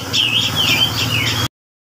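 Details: Female grey-cheeked bulbul kept at a breeding farm, delivering a short string of clear, wavering whistled phrases that dip and rise, ending abruptly in silence.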